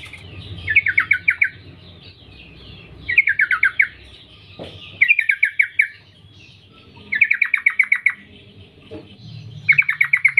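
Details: Female sooty-headed bulbul summoning males, used to prompt males to sing: five rapid, descending chatter bursts of many clipped notes, spaced roughly every two seconds, with a soft background hum and a brief knock.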